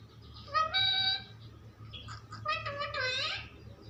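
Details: Pet parrot talking indoors: two harmonic, voice-like phrases, the first held steady, the second bending downward, over a constant low hum.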